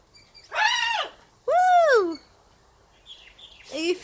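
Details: Playful pet blue-and-gold macaw giving two loud, drawn-out screeches that rise and fall in an arch, a soft squeak, then the start of another harsh call; a person talks to the bird around it.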